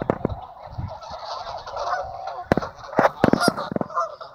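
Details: Geese coming in to land on a lake in two groups, recorded with a built-in camera; scattered honks over a hissy background, with several sharp loud bursts in the second half.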